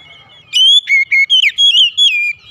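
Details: An oriental magpie-robin sings in the morning, a rapid run of about seven loud whistled notes, some rising and some falling, following a quiet start with a faint steady tone.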